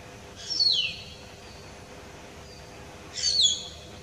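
A common hill myna gives two loud, high whistles that slide downward, about two and a half seconds apart, over a faint steady background hiss.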